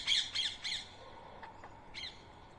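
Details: At a 7 AM feeding session in Coimbatore on 31 March 2024, a rose-ringed parakeet eating soaked boiled rice gives three loud rasping screeches close together. A quieter, distant screech follows a second later.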